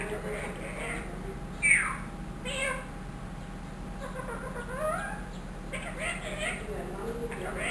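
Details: Trained ringneck parrot aged one year mimicking a cat's meow and speech: a sharp sudden squawk, then a series of whining, bending meow-like calls rising and falling, spread through the recording over a steady electrical hum.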